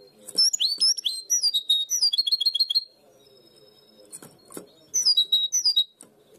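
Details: European goldfinch hybrid with primaveras (herrerillo) type song from Barcelona: sweet sliding notes and a short rapid trill, a quiet spell with faint background noise, then another twittered phrase.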